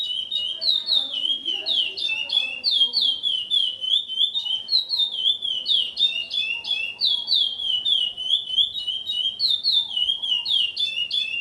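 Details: Chestnut-bellied Seed-Finch (curió), a breeder's founding male known as a strong repeater: fast, continuous run of clear whistled and slurred notes, high and rich, repeated without pause; faint indoor sounds underneath.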